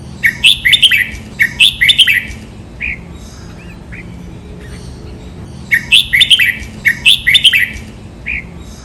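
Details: Red-whiskered bulbul master song for training birds, doubled counted-note style: two matching phrases of rapid bright whistles, each ending with a lone falling note, repeated after a few seconds of quiet.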